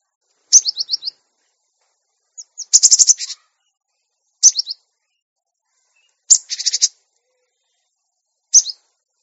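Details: Cinereous tit training recording for young caged birds, meant to make them sing quickly and become tame: alternating phrases of rapid high falling notes and harsh buzzy rattles, repeated about every two seconds in a clean, quiet setting.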